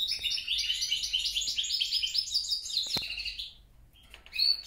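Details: Mule bird from European and grey-crowned goldfinch parents twittering a quick, jangling phrase of high notes for about three seconds, then a sharp click, a short silence and a few final chirps.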